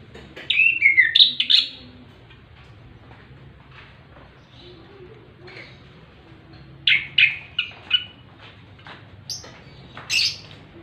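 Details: Orange-headed thrush in relaxed ngeplong ngerol song: bursts of quick, varied whistled and chattering notes, a first cluster, then a quiet gap, then further scattered bright phrases late on, with faint low hum behind.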